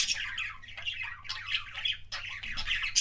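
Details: Close pet budgerigar making kissing sounds: harsh squawky warble running almost without break for three seconds, with one brief dip near two seconds and a faint low hum.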